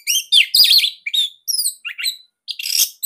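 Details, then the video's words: Orange-headed thrush, Bali form, singing a tight, loud song meant to teach captive birds: busy, high-pitched phrases of rapid warbled and whistled notes, broken by short pauses, with rising and falling slurs. "Kicauan ANIS MERAH Ini Cocok Buat Masteran Burung Sahabat Dirumah."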